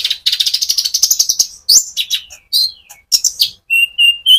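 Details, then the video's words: Olive-backed sunbird, a loud rolling song used as a lure to stir up other sunbirds and build their spirit; a fast high buzzy trill for over a second, then sharp sweeping chirps and short clear whistled notes. "pancingan Burung Konin gacor ngerol untuk kolibri ninja ijoan sampe metalik"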